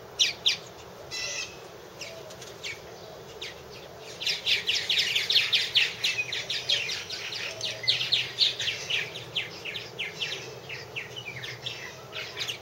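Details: Purple martins chattering at one of three nest houses, 2014 unedited cam: dense, excited volleys of chirps and gurgling notes, around two per second, swelling midway and thinning toward the end, faint hum behind.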